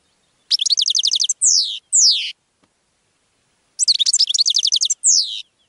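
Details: Singing European goldfinch: a rapid rattling trill of repeated high notes followed by two drawn-out buzzy downslurred notes, the phrase repeated after a short silence.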